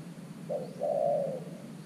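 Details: Spotted dove serving as a decoy at a clay trap to lure wild doves. One brief low note leads into a long, steady, hooting coo, with soft background noise.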